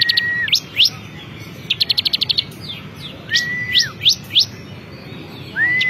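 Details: Ciblek kristal, the bar-winged prinia, in champion song: rapid bursts of evenly spaced ticking notes, quick rising slurred chirps, and drawn-out flat whistles that drop at the end.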